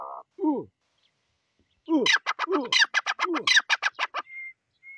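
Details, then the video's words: A wild grey francolin gives a few falling, swooping notes, then a loud, rapid run of sharp, clipped notes, about six a second, followed by a thin, steady whistle-like tone. "Jangli Teetar ki Best Voice"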